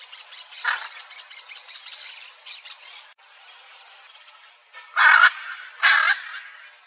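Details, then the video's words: Hyacinth macaw pair vocalizing together in the wild to keep in contact: faint chatter at first, then two loud grating squawks in quick succession near the end, over a continuous high-pitched insect drone. "Arara-azul-grande: Casal Vocalizando - (Anodorhynchus hyacinthinus) Hyacinth Macaw"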